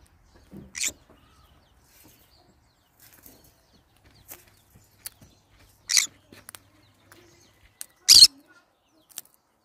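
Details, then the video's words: Short, sharp screeches from a pet green-cheeked conure, three bursts spaced a few seconds apart, with scattered faint clicks and taps between them. "green cheek conure sounds"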